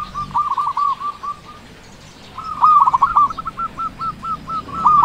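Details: Local zebra dove, loud and eager to sing, meant to stimulate quiet doves into calling: a rolling cooing phrase, a silent gap, then a strong run of clipped repeated coos at a steady pitch.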